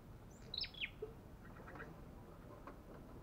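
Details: Olive-backed tailorbird described as belligerent and fierce; a quick cluster of sharp, high chirps near the start, then faint scattered notes over steady background noise.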